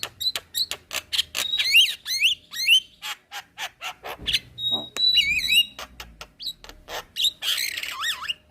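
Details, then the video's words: White-eyed Javan myna giving nodding-style song used to train cage birds: dense rattling clicks mixed with warbled, wavering whistles and a long harsh grating note near the end. "Jalak Kebo gacor Suara Asli / Masteran Jalak Kebo Mata Putih / Masteran Jalak Kebo Manggut2"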